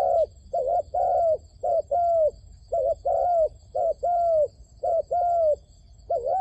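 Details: Low, mellow cooing from a dove used to call in wild doves for trapping, repeated in steady paired units, a short dipping note then a longer flat coo, about every second.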